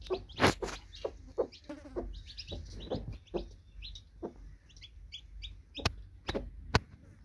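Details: Baby chicks just hatched under a broody hen, peeping in thin high notes in clusters, mixed with occasional hen clucks and several sharp clicks or taps.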